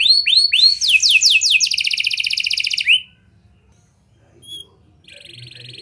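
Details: Canary in full song, used to prompt young canaries to sing: rapid high trill phrases, first a few rising swept notes, then fast buzzy repeated notes for about three seconds before stopping, with a short faint phrase near the end.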